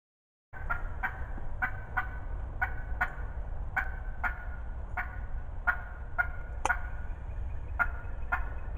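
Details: Close wild turkey hen in spring 2020, loud and talkative, giving a long run of about fourteen short raspy yelps, roughly two per second, over a steady low background rumble.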